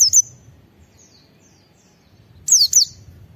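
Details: White-eye singing in ngalas style, meant to prompt other white-eyes to sing: a single high descending note, then after a long gap two quick sharp descending whistles, over faint low hum.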